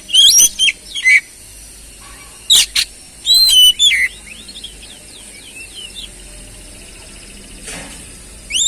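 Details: Oriental magpie-robin song meant to prompt a silent, stressed bird to sing: loud clusters of clear downslurred whistles in the first four seconds, then soft rapid twittering and a final rising whistle.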